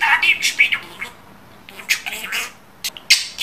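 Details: Pet budgerigar chattering in hoarse, speech-like syllables, pausing, then resuming with short squeaks and clicks.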